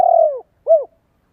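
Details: Call of a spotted dove meant to stimulate and train decoy birds: a steady, slowly falling low coo followed by one short, rounded arched note in otherwise clean silence.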